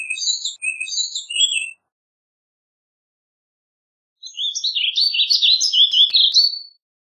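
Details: Warbling vireo, a small North American songbird: scattered separate chirps at first, then after a pause a fast rolling warble lasting over two seconds.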